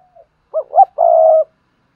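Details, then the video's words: Lure spotted dove cooing to excite other doves: a faint lead-in note, two short hollow rising coos, then a long even sustained coo. Nothing else is heard. "Tiếng chim cu gáy kích bổi nhanh nổi// cu gáy mồi luyện bổi nhanh gáy"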